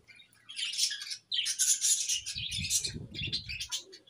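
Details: Happy budgerigars in a new colony give dense, shrill chattering and warbling almost without pause. Low thumping or handling noise sounds underneath midway through.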